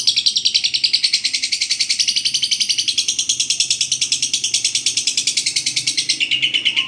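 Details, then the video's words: Lovebird giving the long 'ngekek panjang' chattering song, used to train other birds: a steady, fast rattle of high, harsh notes running without a break, easing slightly lower in pitch near the end. "masteran burung Lovebird ngekek panjang"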